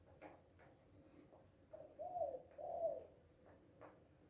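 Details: Happy, loudly calling spotted dove (Tekukur, Balam, Batak Anduhur Bolon): a short note followed by two drawn-out, soft coos, with faint clicks and a brief high chirp in the background.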